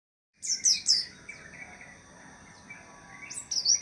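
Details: White-eye giving short bursts of high, thin twittering notes near the start, a quiet gap, then another quick sweeping burst at the end.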